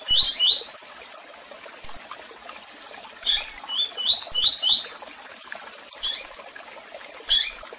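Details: Tui tui song of a double-collared seedeater mixed with chirps and calls: loud sharp high chips alternating with runs of three or four rising whistled notes, with short pauses between bursts.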